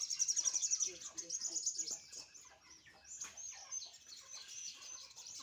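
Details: Sunbird sunning itself in the morning gives rapid, high, tinny twitters, pulsing several times a second, loudest at the start and then softer and more scattered.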